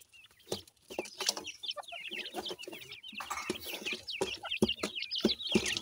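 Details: Feeding grey francolin (partridge) chicks keep up a dense, uneven chorus of sharp, high, bent cheeps, some shaped like little hooks. Scattered clicks and taps from pecking run through the chorus, which gets busier toward the end.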